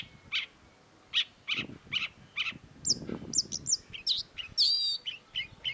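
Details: Long-tailed shrike (cendet) song. Spaced, buzzy high notes come about once a second, then a quicker medley of thin whistles, twisted squeaks and a warbling trill. Some low rumbling noise runs underneath.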